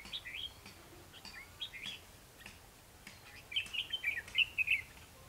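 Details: Red-whiskered bulbul in a fighting-song trap session on 21 December 2015: scattered short whistles first, then a fast run of bright, warbling notes repeated in quick succession to the end.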